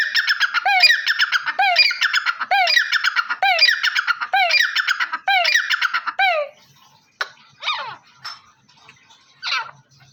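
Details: Black francolin (Dakhni or Bholla teetar) calling loudly in a steady run of harsh, rasping bursts, each opening with a sharp upward stroke, about one per second for six seconds, followed by a few fainter scattered squawks.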